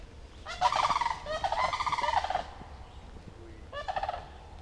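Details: Two adult sandhill cranes with a young one at a pond give loud, rolling, rattling bugles in two long bursts and a shorter third, over a low background rumble.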